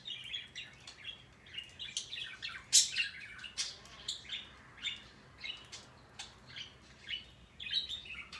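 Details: Male pet parrot giving a long run of short, high, scratchy chirps that come in irregular bursts, with one louder harsh squawk near the three-second mark.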